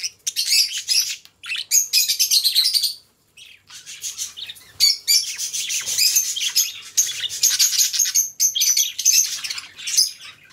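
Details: Pet budgies keep up nearly unbroken chattering song: rapid buzzy twitters and squeaky notes run on for seconds, with one brief silent gap.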